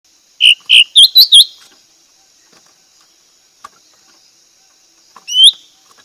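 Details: Cak ranting calling a rival: a quick burst of five bright, high chirps with upward-flicking notes, then near silence with a faint click and one last sharp rising chirp.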